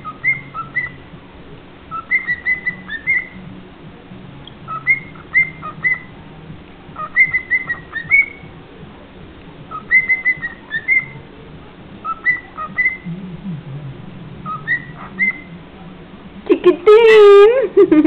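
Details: A cockatiel whistles the Mexican folk-dance tune 'La Raspa' (Mexican Hat Dance) in short, bouncy, repeated phrases.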